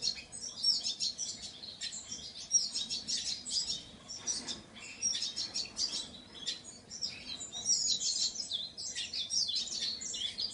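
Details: Painted bunting delivering a jumble of high, quick chirps and warbling trills in repeated short bursts with brief breaks.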